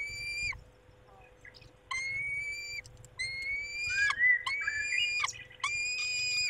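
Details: Polish peregrine falcon nest, male tending the females on a May evening: repeated harsh, steady wails, with a rising whine in the middle overlapping the calls, after a quiet opening second.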